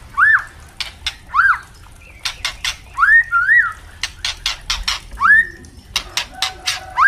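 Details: Captive white-rumped shamas, juvenile and adult, singing 'ngeplong' for training: short rising whistles repeated every second or two, interleaved with clusters of crackling clicks.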